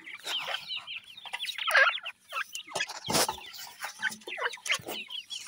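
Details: Several partridge chicks, called dakhni teetar, at play together; high, quick chirping peeps tumble over one another, with scattered sharp tapping and scuffling noises between them.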